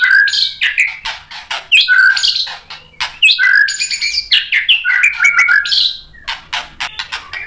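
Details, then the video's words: White-rumped shama, a fighter bird provoked by a rival to answer and show off its full repertoire: loud, varied song of rich whistles, sharp chirps and buzzy phrases jumping between low and high notes, delivered in quick bursts with short pauses. "MURAI BATU GACOR bikin EMOSI NYAUT FIGHTER jadi BONGKAR ISIAN | PANCINGAN MURAI"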